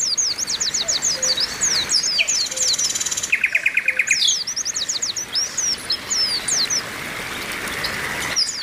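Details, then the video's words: Oriental white-eyes in a crowded chorus meant to excite males, with females calling: quick series of high downslurred chips, a brief buzzy trill near the middle, then scattered thinner chirps fading toward the end. "TERAPI PLECI OMBYOKAN BIKIN CEPAT GACOR"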